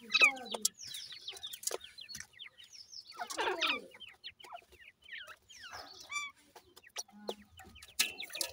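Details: Grey francolin chicks calling: many short, high, downslurred peeps overlap in quick, uneven bursts, with sharp clicks and knocks in between.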